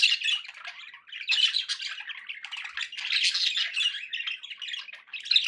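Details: Budgerigars kept as pets chatter steadily: a busy mix of harsh squawks, squeaky chirps and buzzy warbling notes, with many birds calling over one another and only short gaps.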